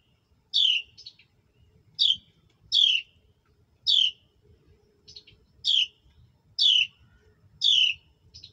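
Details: Hatchlings and a mother bird at feeding time: eight loud, high chirps that slide downward, with quieter short notes tucked between, coming roughly once a second.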